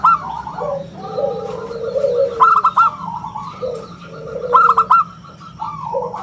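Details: A vigorous local zebra dove, its round clear voice used to lure and tutor other birds. Quick bursts of bright, bubbling, clipped notes alternate with lower drawn cooing phrases from other doves.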